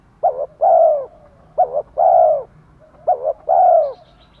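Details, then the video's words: Spotted dove cooing, male and female, for stimulating a male to coo: three rhythmic phrases, each a short broken double note then a long rounded coo, roughly one phrase every one and a half seconds. "Chim cu gáy thúc gù chất giọng gấy ức chế cho bổi rất cao, mở lên bổi gáy liền và dai dẳng"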